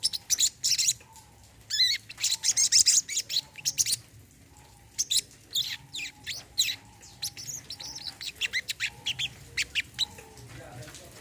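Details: Brown-throated sunbird, played as therapy for a bird that has stopped singing: energetic high twittering in bursts, many sharp chirps in quick runs with short gaps, then softer scattered notes.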